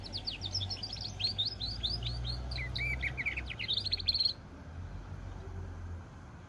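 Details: Hybrid of goldfinch and canary delivers a rapid run of high, slurred chirps and buzzy trills lasting about four seconds, then stops, leaving only a steady low hum.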